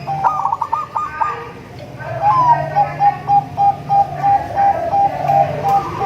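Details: Local, crossbred or Bangkok zebra dove, its melodious song meant to draw in other zebra doves. A brief rolling trill opens, then a long run of short, clipped cooing notes repeats roughly three times a second.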